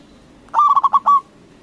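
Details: Loud local zebra dove calling to make rival doves respond: a single rapid, stuttering coo of several quick pulsing notes that ends in a longer held note, with a quiet hum behind.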